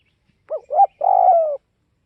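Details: A single cooing phrase from a northwest Vietnamese spotted dove: a short hooked note, a rising second note, then a drawn-out, slightly wavering coo that slides downward. The background is clean and quiet.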